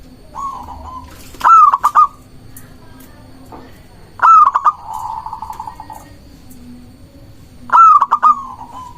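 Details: Vigorously singing local zebra dove, recorded for luring doves and stirring rivals to reply: three loud phrases, each a clear long coo then quick clipped notes, separated by softer rolling purring trills, faint background hum.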